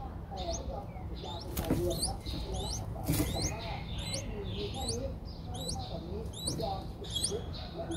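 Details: In Ubon Ratchathani, Thailand, 7 April 2023, Streak-eared Bulbul nestlings aged five days repeat shrill rising peeps in quick succession, after two brief rustling bursts, over a low rumbling background.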